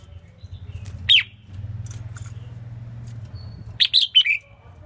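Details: Red-whiskered bulbul female song used to rouse males: one sharp descending chirp, then a quick cluster of three bright notes after a pause, with low background hum.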